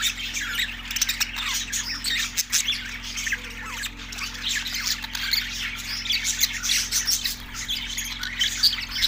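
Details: A group of budgerigars in Larkana, Sindh, recorded March 14, 2024, keeps up busy chattering: rapid squawky chirps, warbles and brief whistles layered over one another with no break, over a constant low hum.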